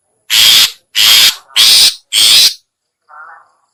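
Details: Lure sound of a long-tailed shrike (cendet, pentet, 'toet toet') meant to draw in other shrikes: four loud, broad, grating bursts in steady succession, then one soft lower note.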